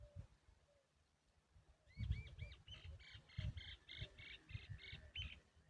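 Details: Woodshrike chick, hungry, calling while its parent stays close: a rapid series of about a dozen short, high, sharp chirps in a steady burst, backed by low thumping and rumbling noise.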